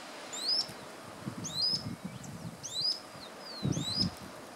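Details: Rock earthcreeper (Ochetorhynchus andaecola) near Villazón, Potosí, Bolivia, giving sharp, high rising whistled notes, about four over nearly five seconds, with rustling and low rumbling noise beneath.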